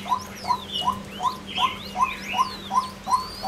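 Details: A female white-breasted waterhen calls with short, mid-pitched notes, steadily repeated almost three times a second, while other small birds chirp and whistle higher behind it.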